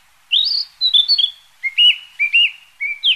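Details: A migrant Narcissus flycatcher pauses on passage and delivers a whistled phrase. A few high rising and falling notes give way to a run of short, lower, level whistles with brief upward flicks.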